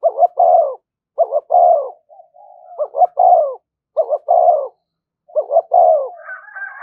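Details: Spotted dove giving a driving, insistent coo used to stimulate a decoy bird: low mellow coo phrases of a doubled note and a longer falling note, repeated every second or so, with a brief higher whistle at the end.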